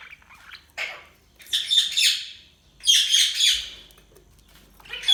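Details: Budgies give loud, scratchy chattering bursts in quick succession, broad grating notes with a whistled streak inside, separated by short pauses.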